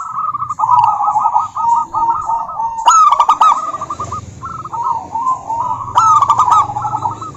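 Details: Local zebra dove, a female calling out to a rival, delivering rapid rolling coo trills in overlapping runs, with two bursts of loud stacked staccato notes and faint high chirps above.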